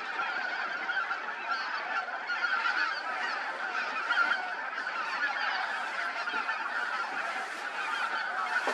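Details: Roughly 2000 geese, chiefly greater white-fronted and bean geese, assembling for the night in late autumn in Poland; a steady wall of overlapping honks and yelping cackles with no pause throughout.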